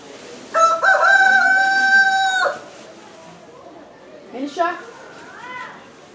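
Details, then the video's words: Black rooster gives one loud crow: a short rising start, then a long, strained, level note held for about two seconds before cutting off. Softer brief vocal sounds follow after a pause. "Black Rooster kukrooku"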